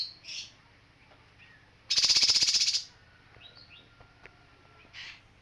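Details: A male kinoi gives one loud, rapid, rattling buzzy trill of about a second, high and harsh. It is framed by fainter short chirps before and after.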